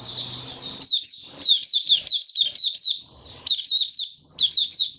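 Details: Open song of a caged oriental white-eye, recorded 20 January 2022 on the fifth day after monthly deworming. High, thin notes are delivered in quick bursts of sweet, slurred chirps with brief pauses, and faint low noise underneath.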